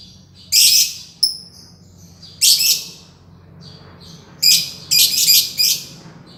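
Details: Green lovebird singing in ngekek style: loud, harsh, buzzy bursts of about half a second, separated by short thin chirps and pauses, with a faint low hum behind.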